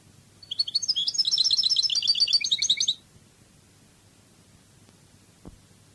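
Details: Wild European goldfinch, Cadiz song style from Spain: a dense two-and-a-half-second phrase of fast, liquid, high twittering notes, rising in intensity and stopping abruptly, then quiet with one soft knock.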